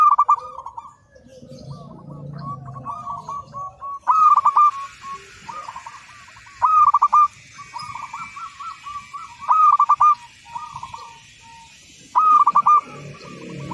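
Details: Local zebra dove, a frequent singer, on a training master: loud bubbling cooing phrases with rapid trills, repeated every two to three seconds, with softer coos between them.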